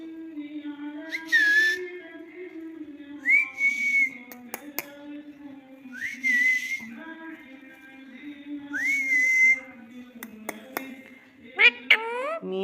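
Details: Pet rose-ringed parakeet, a talking parrot, whistling four clear rising notes a couple of seconds apart, with sharp clicks between them and a burst of quick chirps at the end, over a steady low musical hum.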